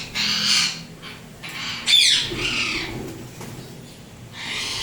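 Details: Pet Indian ringneck parrot in turquoise blue or harlequin colour, tamed, utters a run of harsh grating squawks, one sharply rising, with short pauses between, plus a final scratchy call.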